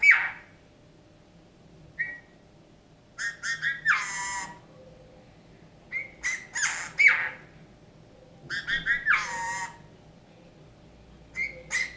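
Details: Captive Eurasian bullfinch singing learned folk songs, alternating clear piped whistles with clusters of creaky, squeaky harmonic notes in phrases spaced a few seconds apart.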